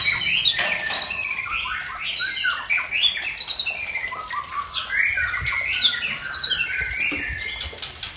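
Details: Murai Tangse from Aceh, a white-rumped shama, pouring out an unusual mimicked fill-in song: rapid, varied chattering and squawky high notes, sharp downslurred whistles and buzzy phrases run together without pause for eight seconds.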